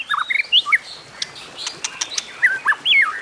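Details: Competitive singing by a White-rumped shama: varied short whistled phrases that slur up and down, rich and fluting, mixed with scattered dry clicks.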